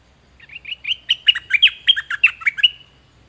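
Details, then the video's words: Domestic zebra finch motif used to teach chicks to sing: about a dozen evenly spaced, nasal, harmonic syllables that grow louder, then fade, with no other sounds. "เสียงนกดอกแตงเจ้าเพชรกับเจ้ามณี เสียงใหม่ล่าสุด2020ไว้สำหรับต่อ ใช้หัดลูกนกให้ร้องตาม"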